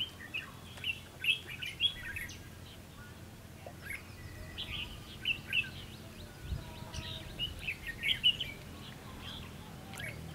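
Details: Red-whiskered bulbul singing during fight-trapping to lure rivals into a trap: clusters of bright chirps and whistled notes, repeated in groups across the clip, with low background rumble.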